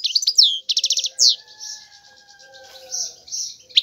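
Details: European goldfinch giving a short twittering phrase and a buzzy rattle, then quieter drawn-out nasal notes while faint steady whistled tones carry on beneath.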